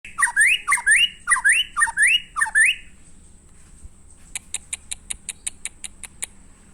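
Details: White-rumped shama singing: five loud, rising whistled phrases with sharp upper notes in quick succession, then a run of brief, evenly spaced high ticking notes.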